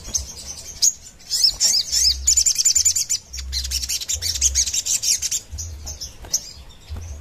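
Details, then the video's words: Crimson sunbird in vigorous 'gacor nembak ngerap' song for luring and training birds: dense high twittering run into fast buzzy trills repeated through most of the clip, over a soft low hum. "Suara Sogon gacor nembak ngerap"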